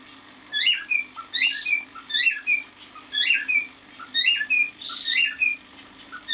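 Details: Cockatiel male, about six months old, singing indoors in regular bouts: each bout a sharp upward whistle followed by a falling slur, repeated around once per second, with a soft breathy sound near the end.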